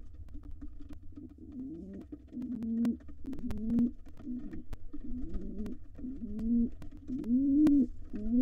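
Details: Wild male pigeon courting its mate in a nest box where nestlings exercise their wings before fledging; soft, low hooting coos come unevenly, partly blurred by rustling and sharp tapping clicks.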